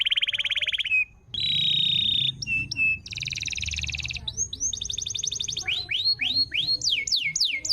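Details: Canary lure song from Indonesia, played to coax other canaries to sing; fast chattering trills, a steady rolling tour, then rapid upward-sweeping whistled notes repeated several times a second, with a low hum underneath.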